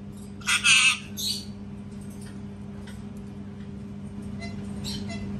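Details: A parrot gives one harsh, doubled screech early on, followed by a fainter rasp, then only soft scattered noises and a steady low hum.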